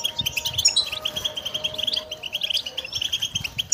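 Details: Training song of a goldfinch: a quick run of evenly spaced, bright twittering notes forming a rippling trill, followed by sharper chirps and a faint steady low hum.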